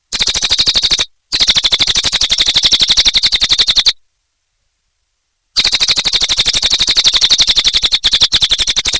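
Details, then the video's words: Cililin singing energetically: a long, fast run of sharp, high chattering notes, evenly pulsed at about ten per second, broken by two abrupt silent gaps before the rapid chatter resumes unchanged. "Suara Burung Cililin Gacor Durasi Panjang"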